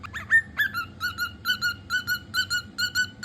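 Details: Pet cockatiel whistling a quick, rhythmic run of short clear notes, mostly in pairs about twice a second, holding a steady middle pitch with bright ringing overtones after a few rising opening notes.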